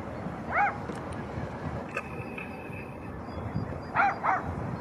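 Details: Greylag geese on the Blies near Ludwigshafen am Rhein, recorded 19 June 2019: a single nasal, harmonic honk early on, then a pair of similar honks near the end, set against steady low background rumble.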